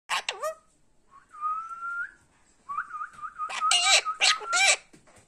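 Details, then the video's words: Talking parrot with a clear voice: a short squeaky chirp, then a steady whistled tone, then a wavering whistled phrase broken by speech-like bursts toward the end. The background is quiet between phrases. "cute talking parrot with clear voice"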